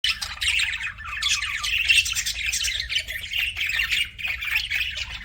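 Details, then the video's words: Pet budgies chirping: a dense, continuous chatter of scratchy squawks and quick twittering notes, several voices overlapping without pause, over a steady low hum. "CUTE PET BUDGIES"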